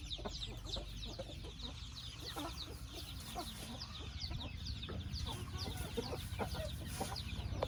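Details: Chickens peep steadily in a chicken house, with high falling notes repeated over and over against a strong low-pitched rumble.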